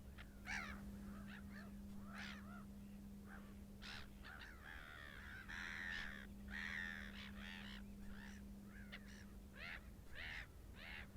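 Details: Short-eared owl recorded in Iceland: rough, rasping barks in loose series, some drawn out and wavering, others clipped, with a constant low mechanical hum underneath.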